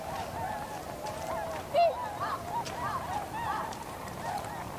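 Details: Tundra swans gathered as a flock in winter, recorded 7 February 2015: a continuous murmur of crooning, wavering honks from many swans, with one louder, nearer bugle standing out near the middle.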